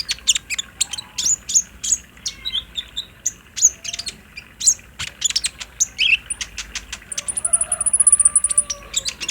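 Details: Olive-backed sunbird song used to draw a kept bird into song. Fast, sharp, high ticks and twitters build into a long, thin, buzzy trill near the end.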